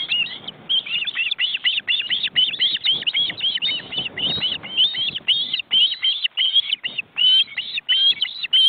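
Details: Ospreys, two adults and nearly grown chicks, in a cramped nest in an Estonian forest reserve, seen on a live webcam. A continuous, insistent stream of shrill, slurred chirps rises and falls without pause.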